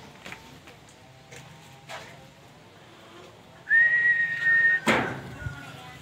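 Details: A tame captive Black-naped oriole, from Aceh, just moved to a new cage and looking confused, gives one clear, fluty whistle held about a second at steady pitch, then a sharp knock, after faint taps and rustles.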